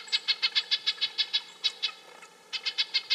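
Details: Red-breasted nuthatch giving a fast series of short, nasal, tinny notes, roughly six to seven per second, with a brief pause before the run resumes; a faint low hum underneath.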